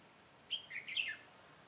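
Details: Singing decoy red-whiskered bulbul, set out to attract wild birds into a trap on 22 September 2017; one compact, liquid warbled phrase of four or five quick whistles in a quiet setting.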